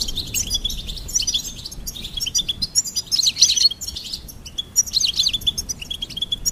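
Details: Bursts of bright, tinkling goldfinch twitter alternate with short quieter gaps, each phrase a quick tumble of high chirps.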